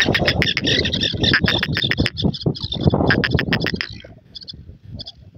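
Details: Black francolin, called kala teetar, in an excited calling state: a loud, harsh, rapidly repeated series of grating broadband notes for about four seconds, then a few softer, higher chirps as it fades.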